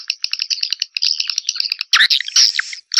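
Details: Swiftlet call for luring birds, 2021: a fast series of short, high clicking chirps for about two seconds, then a louder, harsher squeaky burst of twitters.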